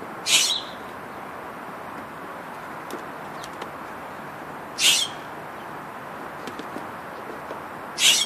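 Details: Scrub jay calling in the morning: three loud, harsh, rasping bursts, each under half a second, spaced about four seconds apart, over a steady background hiss with faint clicks.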